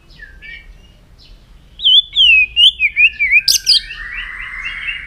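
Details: White-rumped shama singing in the morning during voice training: a quick run of bright, wavering whistled notes, eight or so fluttering syllables, then a sharp note and a softer buzzy trill trailing off.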